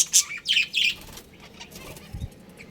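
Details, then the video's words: A colony of budgerigars, including a breeding pair: three quick loud descending chirps open, then quieter twittering follows, with a soft low thud near the end. "Adorable Budgies Chirping Sounds"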